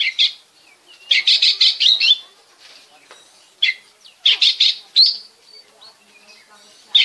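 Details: Oriental magpie-robin from Bekasi, song meant to coax other birds to sing: loud rattling runs of quick notes in bursts, separated by single sharp chips and brief pauses.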